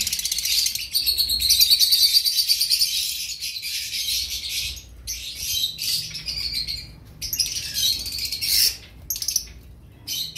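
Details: A sustained, grating, pulsed rasp opens, then two-week-old cream cockatiel chicks continue in choppy bursts of harsh, hissing calls, fading and returning across the recording.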